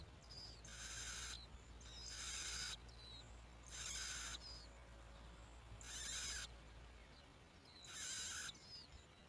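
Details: Nestling bar-winged prinias begging while both parents bring locusts to the nest: five harsh, wide-band hissing bursts roughly every two seconds, each about half a second long, with short high chirps between them.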